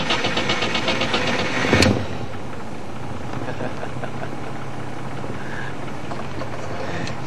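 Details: Vehicle engine knocking and idling, with a sharp bang near two seconds and no animal calls.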